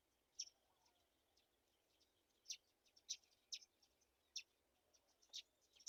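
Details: Black-shouldered kite nestlings being fed a mouse. Raspy, high squeaks sound about once a second, irregular and sometimes doubled, with the last one loudest, in an otherwise quiet setting.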